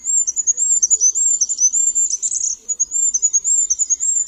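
Goldcrest giving a continuous stream of very high, thin, sibilant notes, rapidly repeated and fluttering, with no other clear sounds.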